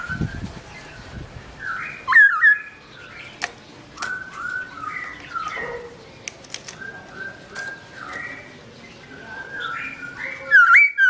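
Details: Black-throated laughingthrush (Garrulax chinensis) singing alone while its owner is away: a run of varied whistled and chirping phrases, mostly soft, with louder slurred whistles near the start and end and a brief low rumble at first.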